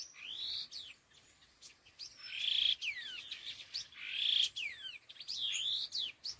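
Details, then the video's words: Khứu lùn laughingthrush giving đôi hung gọi đằng calls, three bright bursts of sustained whistles mixed with swooping descending slurs and clipped chips, separated by brief quieter pauses. "Âm Thanh Chim Khứu Lùn Đôi Hung Gọi Đằng"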